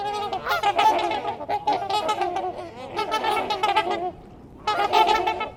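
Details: A flock of wintering trumpeter swans staying a couple of days in Ann Arbor gives overlapping, horn-like honks in a steady chorus, with a brief lull before another burst of calling.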